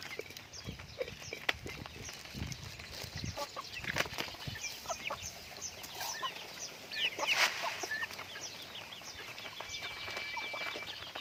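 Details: Raised pet chickens calling together: many brief high peeps and downward-sliding chirps overlapping with low clucks, a louder burst of calls around the middle, steady barnyard rustle throughout.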